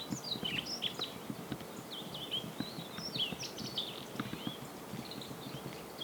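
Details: Wintering male yellow-throated bunting from Ina, Nagano Prefecture, Japan, singing in bright open woodland; quick high warbled phrases of chirps and slurred notes repeat every second or so against a low rumbling, rustling background.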